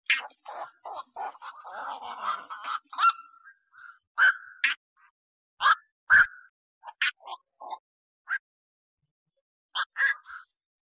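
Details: A bird begins with a rapid jumble of harsh chattering notes, then slows to spaced, sharp, clipped calls with pauses between them, against a quiet background.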